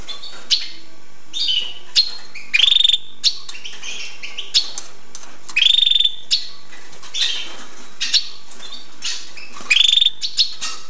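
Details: Hooded siskin singing: a rapid, continuous twittering warble of high chirps and trills, broken every few seconds by a louder buzzy, drawn-out wheezing note, over a steady background hiss.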